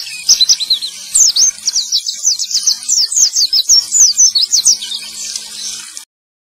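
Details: Male white-eye delivering a fast, high-pitched twittering song of evenly spaced sharp chirps, used to coax white-eyes that have stopped singing into song; the song stops abruptly before the end.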